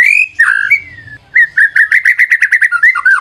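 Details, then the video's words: Brief lure recording of a white-rumped shama: a drawn-out whistle and a harsh note, then a quick steady run of repeated short whistled notes. "PANCINGAN MURAI BATU GACOR"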